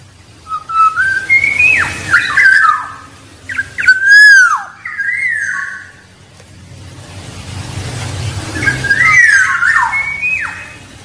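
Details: Wild black-naped oriole singing, a recording used to lure rival birds: rich fluted whistles that slide up and down, several phrases separated by short pauses, with a low hum underneath.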